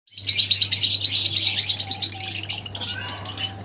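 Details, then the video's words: Lovebirds, several together, keeping up a dense, busy stream of high, sharp chirps and squeaky twitters that overlap almost without pause, over a steady low electrical hum. "Love birds Singing sounds | Chirping Sounds"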